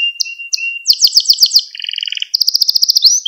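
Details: Canary training song for young canaries: soft chirps over a thin whistle, a loud series of bright notes, a low buzzing rattle, then a quick pulsed trill ending in a rising sweep.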